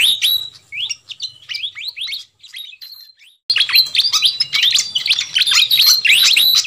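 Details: A fantail (flycatcher) lure recording: rapid, high, squeaky chirps and short twittering notes, about four a second, growing louder and busier in the second half.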